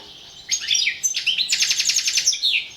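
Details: European goldfinch from the internet goldfinch song championship: after a quiet start, high twittering notes, a short gap, then a rapid buzzy trill followed by bright falling chirps.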